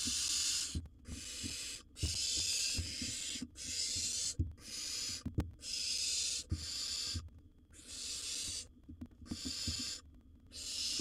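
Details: A long run of rasping hisses, about one per second, from a wild barn owl chick in its nest box while it downs a bird its sibling tried to grab, with scattered clicks and scuffles.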